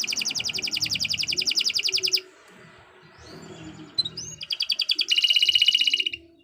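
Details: Canary delivering long continuous song as tutor material: a fast rattling high trill, a short pause with faint background noise, a few upswept notes, then another dense pulsed trill.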